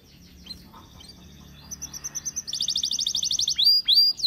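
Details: Belgian canary song to get other canaries singing: faint notes at first, then a loud, fast, even trill and a few bright downward whistles.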